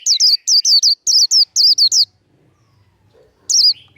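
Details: Japanese white-eye in fighting song for training caged birds: dense, fast series of piercing, twisting whistled notes for two seconds, a pause, then one more high note.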